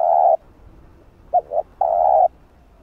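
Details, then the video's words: Spotted dove lure recording to attract wild doves; a long level coo, two brief quick notes, then another long steady coo, all low and hollow. "Cu Gáy Giọng Hạp Bổi Bài Bản | GÁY GỌI + THÚC + Gù | Kích Cu Gáy Bổi Gáy"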